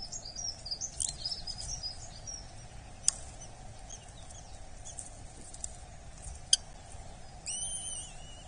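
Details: Eurasian hobby chick being fed at a nest in Dorset on 8 July 2024: scattered thin high notes early on, sharp clicks, then a burst of arched, whining calls with overtones near the end over steady low background hum.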